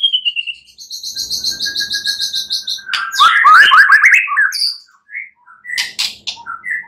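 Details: At night, a white-rumped shama sings to stimulate singing: a high buzzy rattling trill, a steady thin whistle, then a loud tumbling flurry of varied whistles and chips.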